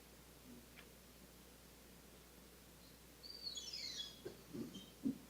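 An oropendola gives a liquid, gurgling burst that ends in a high, descending, harp-like cascade, followed by a few deep hollow pops, over faint background hiss.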